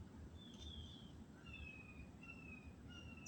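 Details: Sunrise birdsong in an old tree canopy in Florida, made of long, drawn-out, slurred whistles that dip slightly and come about once a second, with fainter higher notes between them, over a steady low-pitched background hum.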